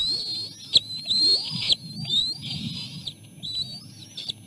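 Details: Bald eagle nestlings being fed by their mother at the nest, one of three siblings pushing to the front; shrill, drawn-out whistled cries with upward slurs, separated by brief pauses, over a low electrical hum and a few knocks.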